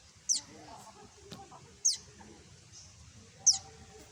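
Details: Young common tailorbird, locally tuntuni, calling for its mother with three sharp, shrill, high notes that each slide quickly downward, repeated about every one and a half seconds against a soft, low background murmur.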